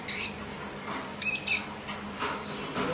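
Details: Lovebirds chirping: a few sharp, high squeaky chirps in short bursts, one early and a cluster midway, over a steady low hum.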